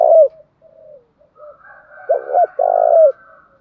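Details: Male and female spotted doves, used to encourage trained birds to coo; a falling coo, soft muttering notes, then a double note and a long low vibrating coo, with a faint higher note running behind.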